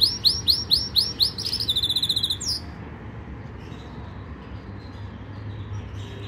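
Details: Yorkshire canary training song opens with about six loud upward-sweeping whistles, then a quick rattling trill. The bird falls silent after roughly two and a half seconds, leaving only faint background hiss.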